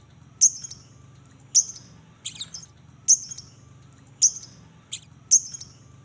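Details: Lovebird 'ngetik' calling, meant to prompt lovebirds to sing: single sharp, very high clipped chirps, roughly one a second, each a quick piercing tick with a brief buzzy tail.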